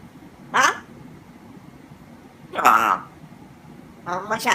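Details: Pet grey parrot, which has been shared as one that coughs a lot, chatters nonstop in mimicked Mandarin speech ("daddy's back, pet me"): three short, speech-like harmonic phrases sliding in pitch, about two seconds apart, in a quiet room.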